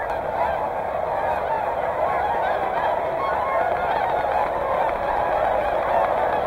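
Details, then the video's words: Mixed flock of whooper and tundra swans at Hyoko lake in Niigata, Japan, giving loud, constant overlapping trumpeting honks, many birds calling at once in a thick, unbroken wall of sound. "Swans from morning to evening"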